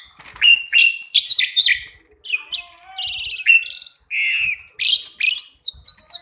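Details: Two pied mynas in a continuous, rich song of mixed whistles, chatters and buzzy notes that rise and fall, ending with a fast series of short descending chirps.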